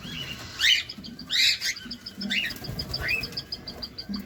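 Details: Cockatiel kept as a caged pet, feeding, seen close up; a few short rising chirped calls about every three-quarters of a second, then quieter, with a faint steady high tone running underneath.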